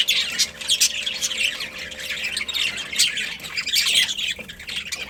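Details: Many pet budgies chirping at once, a constant high twittering and squeaky chatter with louder bursts every second or so.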